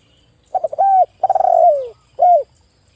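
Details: Loud-voiced spotted dove, used as a lure for other doves, gives a quick stuttering start, a steady mellow coo, a long trilled coo sliding downward, and a short arched final note.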